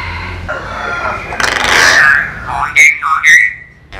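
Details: Common hill myna talking like a person, saying human words: a voice-like phrase, a harsh breathy burst, then clear whistled, wavering vocal tones sliding down at the end, with faint low background hum.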